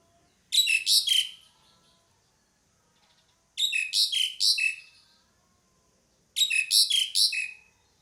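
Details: Pied myna giving three evenly spaced call phrases roughly every three seconds, each a quick cluster of harsh chatter and downward-sliding whistles, silence in between.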